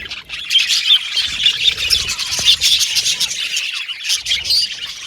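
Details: Pet Australian budgies chattering, a high bubbling warble broken by louder sharp chirps and short squawky bursts, the group noise swelling and dipping in pulses.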